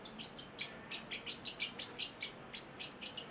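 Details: Pet eight-week-old male Celestial parrotlet singing: soft, high chirps repeated about three times a second in an uneven rhythm, over a quiet indoor background hum.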